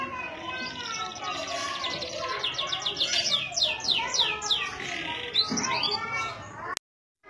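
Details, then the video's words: A canary in Indonesia sings fast rolling trills and rising-falling whistled sweeps that repeat several times a second, over a busy background of other bird chatter, ending abruptly in silence. "CANARY SINGING"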